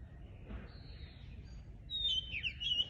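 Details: Small birds chirping in the countryside: a faint thin whistle, then a burst of bright, rapid high chirps and twitters toward the end over quiet low background noise.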